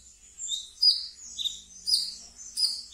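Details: Captive brown-throated sunbird in ngeriwik song, used as a lure: soft high chirps and warbled notes every half second or so, with a faint low hum in the background.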